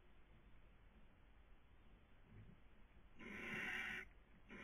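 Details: Barn owl (Tyto alba) at a nest webcam in Cabañeros National Park, Castilla-La Mancha, Spain, during the 2020 breeding season: one harsh, hissing screech lasting under a second over a steady background hiss.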